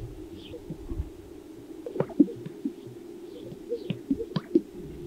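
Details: Greater sage-grouse at a lek in Jackson County, Colorado, recorded from a distance in wind: a low, bubbling murmur broken by sharp, hollow pops in quick pairs, repeated every couple of seconds.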